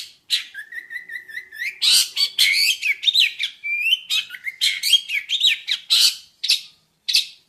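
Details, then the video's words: Jentet bird song opening with a steady whistled trill, then rising and falling warbled phrases mixed with harsh chirps, continuous and varied throughout. "Kicau mania burung Jentet bersuara"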